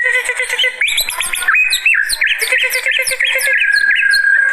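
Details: White-rumped shama (murai batu) singing while worked up, used as a lure and master song: a rapid run of varied whistled notes and sharp chirps, ending in a steady held whistle, with no other clear sounds.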